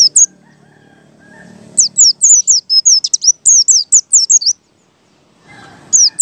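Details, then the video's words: White-eye in the ngalas song style, played as a lure to make other white-eyes open their beaks and sing: a quick run of high, thin, down-slurred whistled notes, about a dozen in two and a half seconds, with soft low noise beforehand. "PLECI BUKA PARUH ngalas"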